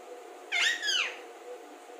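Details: Talking Alexandrine parakeet produces one loud, rich harmonic syllable that sweeps up and then glides down over about half a second, with faint room hum.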